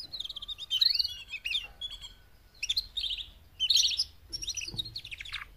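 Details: Female canaries, four of them, calling to spur males into louder singing; bursts of bright chirps, rising and falling whistled sweeps and quick trilled phrases come in groups separated by short pauses.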